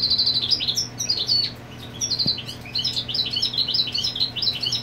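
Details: Territorial song of a European goldfinch whose mate is on the nest: continuous fast twittering of bright, bouncing high notes, a single dry click midway, and a soft constant hum in the background.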